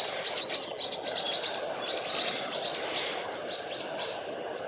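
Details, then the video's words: Along the Tone River in Japan in early 2024, a brown-eared bulbul calls nearby, with jogging footsteps passing: shrill, high chirping notes in quick bursts, several a second, over a low rumbling background. "近くではヒヨドリが鳴いてますね。"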